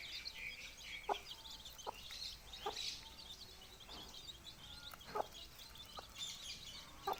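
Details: Four-day-old chicks with their hatching hen: many thin, high, rapid peeps overlapping continuously, with a low clucking note from the hen roughly every second.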